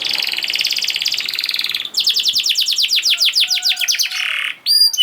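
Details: Canary song used to coax quiet canaries into singing: rapid buzzy trill, then a sequence of quick downslurred strokes repeated about six per second, ending in a short rattle and high clear whistled notes.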